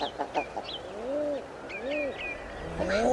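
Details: Common eider giving two drawn-out, low, arched cooing notes, each rising then falling, about a second apart, with brief higher chirps from other birds at the start and end.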